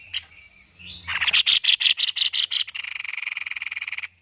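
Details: A white-necked babbler sings vigorously. Brief whistled notes lead into loud grating pulses that speed up into a rapid, even buzzing trill.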